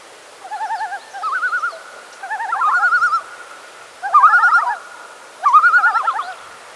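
Common Loon giving five quavering, wavering phrases, each about a second long and evenly spaced, over a faint steady background tone.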